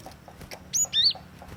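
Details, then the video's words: Cinereous tit, a lure and tutoring singer: a single clear two-note phrase, a high whistle then a slightly lower, rising slurred note, over a quiet background hum with soft ticking. "KICAUAN GLATIK WATU PIKAT GACOR | COCOK UNTUK PEMASTERAN"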